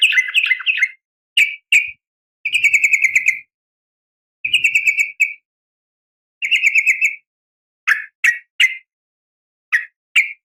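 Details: Female sooty-headed bulbul calling to get males to respond. Short rattling bursts of fast pulsed notes alternate with pauses, interspersed with single or paired sharp chips toward the end.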